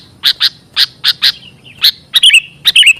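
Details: Sooty-headed bulbul lure call used for trapping and training birds: a handful of scratchy chirps followed by two short bursts of clear, slurred whistles.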